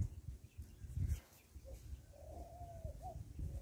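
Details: Farm rock dove: a single low, smooth coo lasting nearly a second, ending in a short upturned note, over a rumble of low-pitched background noise and thumps.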